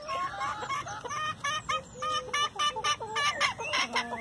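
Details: Chickens feeding excitedly on leftover hamburger buns: loud, rapid, overlapping clucks and harsh squawking notes from several birds, coming in quick bursts about twice a second.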